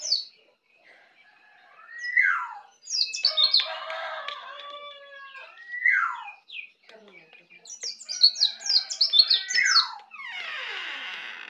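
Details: Native Bali white-eye, a young bird learning to sing in ngeplong style, gives repeated downward-slurred whistles between quick bursts of high, sharp chirps and trills.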